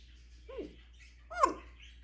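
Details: Pet African grey parrot (Psittacus erithacus) performing its mimicry repertoire of meows, snoring, dog, rooster and Michael Jackson sounds: two short, voice-like mimicked sounds about a second apart, each a bent, bark-like note, in a quiet setting.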